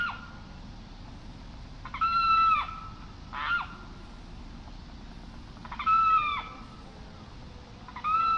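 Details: Limpkin calls, locally carrao: scattered loud wailing cries, some long and drooping, some short, separated by gaps of one to three seconds.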